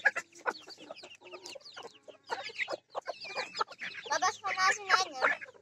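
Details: Pekin bantams in a flock trading quick, uneven clucks and rising squeaky notes that build into louder, overlapping squawking toward the end.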